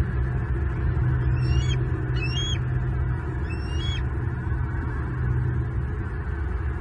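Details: Bald eagle at the nest in the morning with a big fish for breakfast: three brief high squealing notes, each rising then dropping, in the first half, then only steady low rumble.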